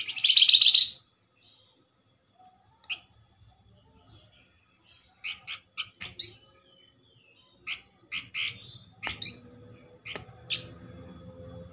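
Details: Flamboyan lure call for drawing replies from others of its kind: one loud, rasping, chattering burst at the start, then a scatter of quiet, short, sharp chips and a low hum.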